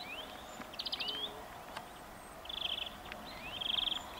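European greenfinch song: short, bright rolling trills every second or so, with thin rising whistles between, over a soft hiss of background noise.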